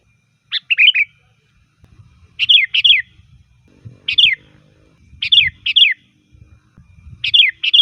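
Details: Sooty-headed bulbul, a loud, lively songster used as a lure to call wild bulbuls, giving short bubbly two- and three-note phrases about every one and a half seconds, with low rumbling background noise.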